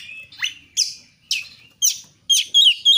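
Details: Oriental magpie-robin (kacer) singing vigorously in gacor style, used as a lure to get other kacer singing: sharp downslurred whistles about every half second, then a quick run of bright, looping, repeated notes.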